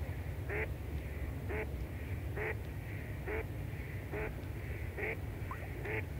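A Goosander gives seven short, harsh, croaking calls, about one a second, over a steady low rumble like wind or distant water.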